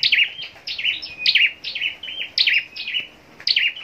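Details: High, thin chirping song of a contest scarlet-backed flowerpecker, each phrase a sharp downslurred note followed by a wavering twitter, repeated about every second.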